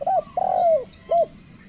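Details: Spotted dove used as a calling lure for wild birds. A short coo and a longer coo that slides downward at the end, then one more brief arched coo.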